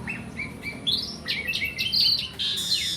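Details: A black-and-white Asian pied starling, kept caged, sings nonstop in a brief run of steady whistled tones stepping upward, ending in a bright high rasp.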